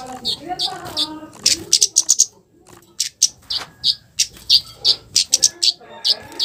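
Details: Flowerpecker harsh 'cit' call used as a lure to provoke other flowerpeckers: bursts of high, dry chips in quick clusters, with low murmuring sounds early on and a short pause midway.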